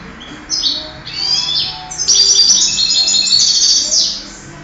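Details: Singing-contest European goldfinch, 2008: a few clipped high notes lead into a dense, continuous run of rapid tinkling, liquid twitters lasting about two seconds.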